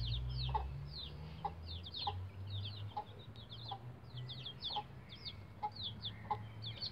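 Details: Young bantam Rhode Island Red chicks, roughly 11 days old, on a chicken ladder give rapid piercing downward-sliding peeps. Soft thuds fall about every second, and a low hum runs underneath.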